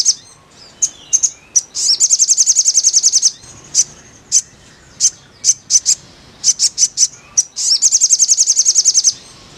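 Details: Crimson sunbird singing as therapy for a caged bird: scattered sharp high chirps build into long rapid trilled runs of high notes, repeated twice, with short pauses between bursts.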